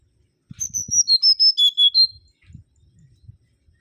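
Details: Mangrove whistler (Pachycephala grisola) singing energetically: one phrase of about nine clear, high whistled notes. They step down from very high to lower pitch, then end on a slightly higher note, all within about one and a half seconds.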